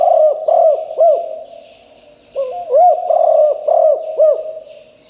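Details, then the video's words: Spotted dove kept as a decoy for luring wild birds, giving rounded, hooting coos in a run of three, a pause, then four or five more in quick sequence over a constant shrill hum. "นกเขาใหญ่คับ birds - เสียงนกร้องแรงมากจนนกในป่าร้องตาม"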